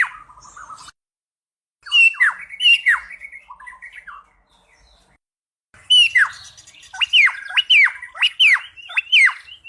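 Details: Cucak pantai singing, its song said to rival the cucak rowo: bursts of sharp, downward-sweeping chirps and squeaky notes in quick runs, broken by short pauses, with a busy run of rapid chirps near the end.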